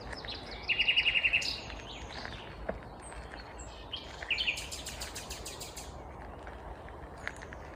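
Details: Vagrant Common Nightingale at Kvarnbo, outside Uppsala, Sweden, singing one morning in May 2021; a loud, rapid rattle of about nine repeated notes, then later a shorter burst and a high buzzy phrase.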